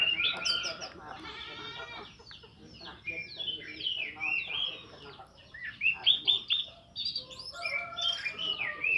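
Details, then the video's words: An orange-headed thrush sings in the morning, a training song meant to prompt reluctant thrushes to sing: a rich, fast, varied song of clear whistles, sliding notes and chattering twitters, mostly high-pitched, with barely a pause. "Anis merah Ngeplong di pagi hari"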